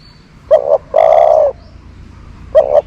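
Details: Decoy dove, a nok tor kept to lure wild doves, giving a short low coo followed by a longer drawn-out coo, then another short note about two seconds later; quiet background.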